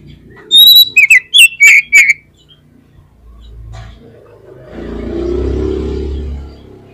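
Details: Oriental magpie-robin lure song meant to prompt other magpie-robins to sing: a burst of loud, clear whistled notes, the first a steady high whistle and the rest quick downward-bending slurs, followed by low rumbling engine-like noise.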